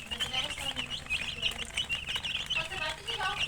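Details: Many domestic chicken chicks peeping together in a dense chorus of short, high, chirpy notes, overlapping and continuous, with a few lower clucks beneath.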